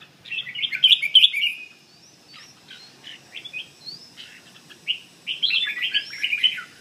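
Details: Red-whiskered bulbul singing in the 'giọng chuông' (bell-voice) style: bright, warbled phrases of quick rising and falling notes in bursts, with thin upslurred whistles in the gaps between phrases.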